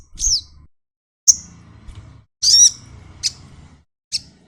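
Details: Sunbird singing while opening its wings: sparse, very high thin notes, a downslurred whistle, short sharp ticks and a slurred double phrase, separated by pauses, over a faint low murmur.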